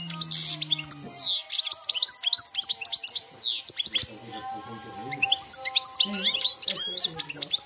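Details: Field-style 'cante campero' song of a European goldfinch: dense, fast twittering with sweeping whistles and buzzy trills throughout, over steady low tones in the background.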